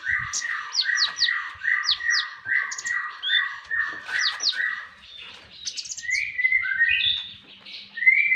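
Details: Javan tesia on a songbird training master recording, giving a fast string of repeated descending chirps with high flicked notes above, then switching to drawn-out slurred whistles.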